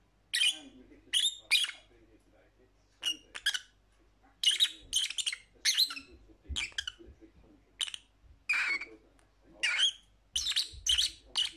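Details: Lovebird producing sharp, high-pitched squeaks and chirps in short bursts separated by brief silences, some notes doubled or tripled, over a faint low hum.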